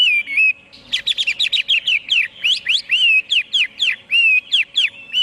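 Chinese Hwamei singing a rich, fast run of loud whistled notes, sliding up and down, with repeated rising phrases; no other sounds.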